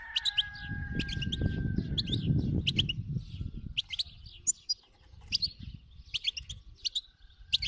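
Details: Khalawi wild goldfinch giving an energetic song of repeated sharp, clicky chips and twittering notes in quick clusters, with loud low rumbling noise in the first half that later fades.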